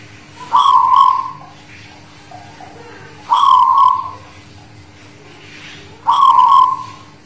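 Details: Guling Murio Zebra dove from the Muria highlands of Kudus singing (manggung): three evenly spaced cooing phrases about three seconds apart, each a brisk double-noted start sliding into a sustained, softly falling trill.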